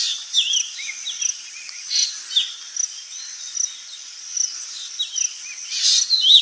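Black drongo giving short, sharp whistled and harsh notes, some rising or falling, about two a second, over a steady high insect hum.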